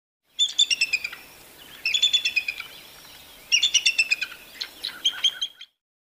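An eagle gives high, thin chattering calls in four bursts of rapid piping notes, each burst about a second long, with a quiet background.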